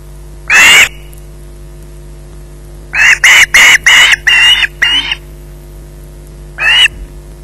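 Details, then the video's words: Osprey at its nest at Loch Garten, holding a fish at 20:33, gives harsh, broadband screeches: one short burst, then a run of six rapid grating calls, and a final lone screech after a pause. "Bynack screeching in possession"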